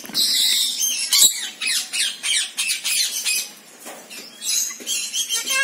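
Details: Rainbow lorikeets (Trichoglossus haematodus) calling: harsh, raspy screeches and squawks overlap in rapid succession, several birds at once, with steady background noise.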